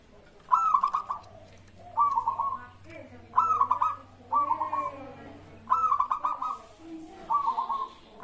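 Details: Local zebra dove, sung to get other birds singing: short bursts of rapid notes alternate with softer trilled coos, repeating about every second and a half. Faint chirps from other birds and a low hum sound in the background.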